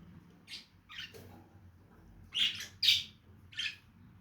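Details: Lovebirds giving shrill, high chirps in short bursts, two spaced apart and then three louder ones close together near the end, over a faint low hum indoors.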